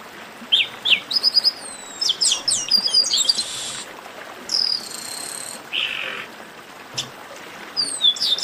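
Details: Several Chestnut-capped blackbirds calling together in a baderna used to stir up other singing birds. Bright descending whistles and quick chips overlap with a harsh, buzzy note, then a lone long slurred whistle.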